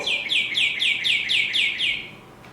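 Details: Northern Cardinal song, a local spring songbird: a rapid series of about seven clear, down-slurred whistles, four per second, like 'birdie birdie birdie', then quiet.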